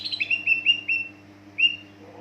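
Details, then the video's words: Greater green leafbird singing to trigger other leafbirds: five quick clear chirps sliding downward in a steady series, a pause, then one more chirp, with a faint constant hum beneath. "pancingan cucak ijo dijamin NYAUT ngikut gacorrrr burung bahan"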